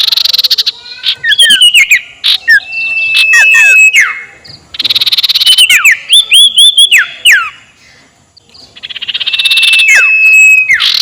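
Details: Sirtu ngekek calls used as a lure to agitate rival birds: repeated bursts of fast chattering and squeaky notes, broken by long steady whistles that fall away at the end, with short pauses between bursts.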